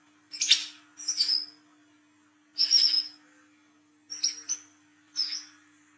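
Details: Brown-throated sunbird song recorded at night, used as a lure call: five sharp, high, squeaky chattering bursts about a second apart, over a faint steady electrical hum.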